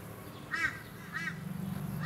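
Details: Lewin's honeyeater in a suburban garden on the Sunshine Coast, Queensland, in April 2019, giving short, loud, rattling bursts, one about every two-thirds of a second, over a low background hum.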